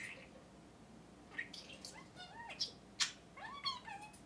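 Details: Pet budgerigar indoors, chattering: scattered short squeaks, warbled rising and falling whistles and clicks in two bursts, fairly quiet over a steady room hiss.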